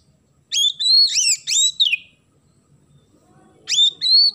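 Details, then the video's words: Oriental magpie-robin singing loudly in the isian gereja style, a song filled with sparrow phrases. A burst of clear, sharply inflected whistles, a two-second silence, then another rising whistled phrase. "KACER GACOR ISIAN GEREJA"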